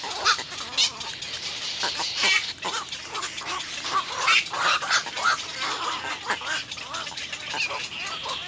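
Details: Little egret nestlings, three chicks at the nest, beg their mother for food with a steady stream of rasping, scratchy bursts and hoarse squawks, irregular and overlapping, with a busy background hiss.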